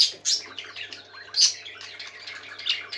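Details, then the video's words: Parakeets chatter in a busy stream of high chirps, squeaks and warbles, with sharper squawks near the start and middle, over a faint steady hum. "Happy Parakeets Singing"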